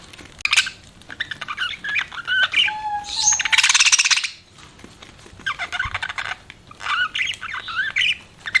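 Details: Budgies chirping: busy warbled phrases of rapid twittering notes, a loud harsh screeching burst in the middle, then more chattering warbles.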